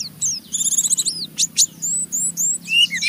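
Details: Oriental white-eye giving a rough chattering 'ngeriwik' song meant to provoke other white-eyes into singing; quick high, thin twittering notes with sharp downslurs and bursts, a faint low hum and music underneath.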